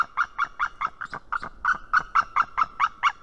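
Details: Female white-tailed eagle giving warning calls at her nest in Estonia, filmed by a live nest camera on 19 March 2018 at 7:04 am: a steady series of harsh, yelping notes, about four per second.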